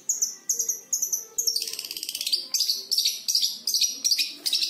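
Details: Five-month-old captive Long-tailed Shrike being trained with lovebird and canary tutor songs: high, thin chirps, then a fast, dense twitter copying lovebird and canary phrases in quick bursts.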